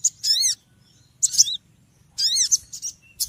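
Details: Small noisy bird giving roughly one sharp chirp burst per second, each a bright, high, slurred cluster of notes, with silence between.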